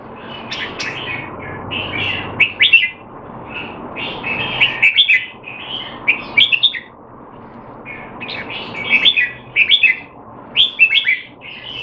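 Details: Caged Red-whiskered bulbul in Singapore, recorded 25 December 2020 during a training session while said to be out of form; bursts of bright, warbled whistled phrases in quick clusters, separated by short pauses, over a low steady hum.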